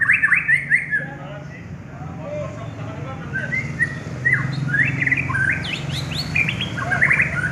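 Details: Champion white-rumped shama, a contest bird, pouring out varied short whistles and chirpy phrases, some rising, some dropping, with brief gaps and a busier high flourish near the end over steady low hum.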